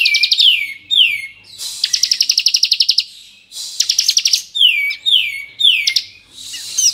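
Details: Bar-winged prinia, Kristal type, in full varied song used to provoke other prinias: swooping downslurred whistles, a long fast buzzy trill of about twenty pulses, then more falling whistles.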